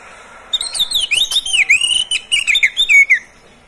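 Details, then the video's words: Oriental magpie-robin (kacer), a caged pet bird, delivers a fast rich song of looping whistled phrases and rapid chattering notes for about three seconds after a quiet start, meant to coax other kept birds into singing morning, noon and afternoon. "SUARA BURUNG KACER, cocok buat pancingan Kacer pagi, siang, sore"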